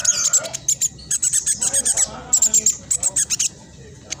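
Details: Spotted black sunbird in full song, a rapid, dense chattering used as a lure to get reluctant birds singing: very high, thin, clipped notes fired in quick bursts with short pauses between runs.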